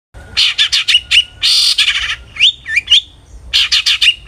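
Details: Long-tailed shrike song used as a lure to make other shrikes sing: quick runs of harsh chattering notes, a broad rasping burst, then rising whistled slurs and another fast chatter.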